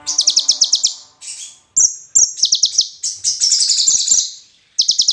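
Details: Song of a bar-winged prinia, used as training material for songbirds. Quick strings of sharp, high, buzzy notes alternate with brief whistled slurs and a dense trilling passage, separated by short pauses.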